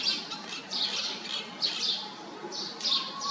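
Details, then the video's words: Short bursts of high, scratchy chatter from a Pied fantail, repeated several times in quick succession over light background noise. "นกอีแพรดแถบอกดำ (Pied fantail)"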